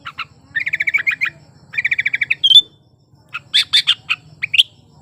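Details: Sooty-headed bulbul in breeding condition, singing loudly as a lure to get quiet bulbuls to sing: short bursts of rapid chattering notes in two bouts, a sharp rising whistle, then louder scattered buzzy notes, with a faint low hum underneath.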